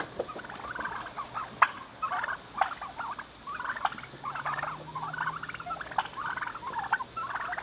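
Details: A gang of wild turkeys, fed by hand since they were babies, gobbling together at feeding time, each burst a quick, rattling warble repeated about every second, with a few sharp knocks between.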